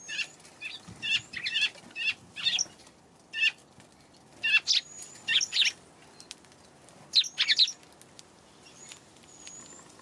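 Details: Eurasian tree sparrows on a 31 March afternoon, giving bursts of sharp, high chirps in quick clusters, some doubled or tripled, with brief pauses between groups and thin high whistles from another bird in the background.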